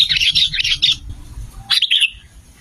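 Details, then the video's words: Sooty-headed bulbul, used as a lure to trap birds and to prompt other bulbuls to sing. Rapid bubbly phrases of warbled notes for about a second, then a pause and a second short phrase, with a faint low background rumble. "SUARA BURUNG KUTILANG GACOR 2025"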